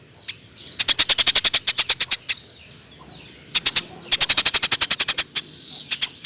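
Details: Vigorous chirping of a Eurasian tree sparrow, used as a training recording: rapid rattling runs of high, clipped chirps, roughly four per second, in two long strings of over a dozen each with brief pauses and a few stray chirps.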